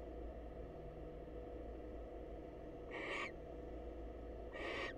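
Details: After a quiet stretch, two short, noisy hissing screeches from a wild female barn owl saying hello to a male at a monitored nest box ring out about 1.6 seconds apart.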